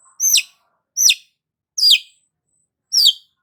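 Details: Long-tailed shrike in full lively voice, offered to rouse stressed shrikes: four loud, harsh, downward-sweeping screechy notes, evenly spaced under a second apart, with near silence between.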